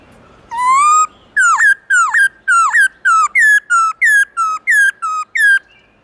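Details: Forest-style morning song of a black-throated laughingthrush: one long rising whistle followed by a steady run of about twelve loud, sharply hooked whistled notes, roughly two per second, with a quiet background.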